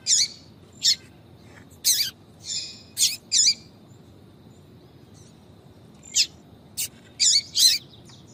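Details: Female yellow-bellied seedeater calling to attract males with 'tui tui' notes. Short, piercing high chirps come in loose bursts, some paired, with a thin whistled tail after a few. A pause of about two seconds falls midway.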